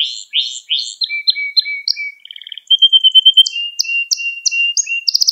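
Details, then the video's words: A Gloster canary sings to stimulate other canaries and train youngsters: a few rich chirps, runs of repeated notes, a low steady whistled line, then sharp repeated chips and a closing rattle. "Gloster Kanarya Sesi Ve Ötüşü | Kanarya Huylandırma | Kanarya Kızıştırma"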